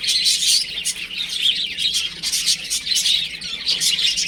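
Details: Several young chicks playing at home, their thin, bright chirps repeating rapidly and overlapping into a lively, unbroken chatter.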